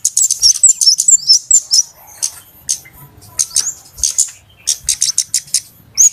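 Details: Flowerpecker lure call for trappers: an opening flurry of sharp, high, twittering notes, then spaced ticks repeating more than twice a second, ending on a short whistle.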